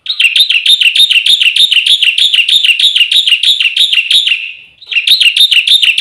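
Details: Black-winged starling song for training kept birds: a long run of rapid, buzzy, wavering notes repeated about three per second, fading out, then starting again.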